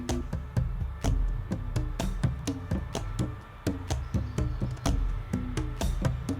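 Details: Percussive music with regular wooden knocks and taps over a steady bass beat; no animal voices are heard.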